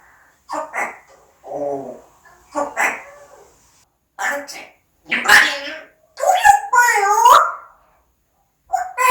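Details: Pet parrot talking indoors in a small room: short speech-like phrases with bright harmonic, nasal vowels, several bursts separated by pauses, the last syllables longer and warbling.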